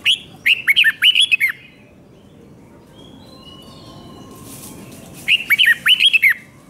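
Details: Red-whiskered bulbul from Thailand singing a five-syllable 'double 2, double 3' song style, played so young birds can copy it: two quick bursts of five or six bright, bouncing whistled notes separated by several seconds of quiet.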